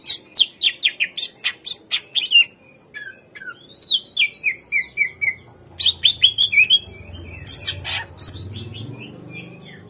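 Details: Greater green leafbird singing, used as a lure so that untrained kept birds answer and sing: rapid repeated sharp chips, then long sliding whistles and mixed chattering phrases, with a low rumble in the background.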